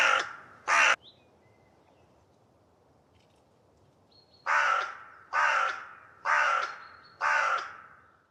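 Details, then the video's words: Hooded crow in the Nordic region giving harsh, hoarse caws: two close together, a long pause, then four evenly spaced caws about one second apart, over a quiet background. "Hooded Crow"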